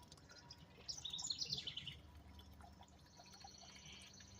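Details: A House Wren, one of a pair nesting with eggs in a garden birdhouse on a stand, gives a rapid bubbling burst of high chattering notes lasting about a second, then fainter twittering over soft hiss.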